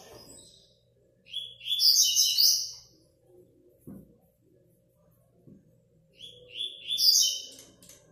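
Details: 3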